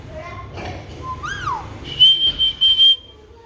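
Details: Alexandrine parakeet talking with soft voice-like tones, a loud arched falling phrase, then a long, high, pulsing whistle lasting about a second.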